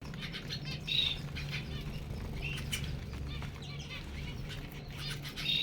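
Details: Zebra finches giving short nasal chirps with stacked overtones, scattered irregularly across a few seconds, with wing flapping and soft fluttering throughout and a low steady hum underneath.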